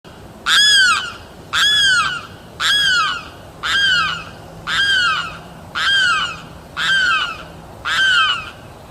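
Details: A limpkin in wetlands after sundown gives loud, harsh, down-slurred wailing cries, about one a second in a steady series that can run for minutes, over a quiet background.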